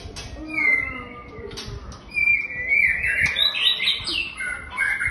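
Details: White-rumped shama song with loud, varied whistled phrases, some sliding and warbled, growing fuller in the second half, with a few sharp clicks and low background rumble.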